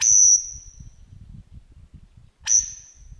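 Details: Superb lyrebird, wild in Australian bushland, singing mimicry of other birds: two loud, piercing whip-like notes, each a sharp high onset that holds and then trails away, about two seconds apart, with soft low background rumble.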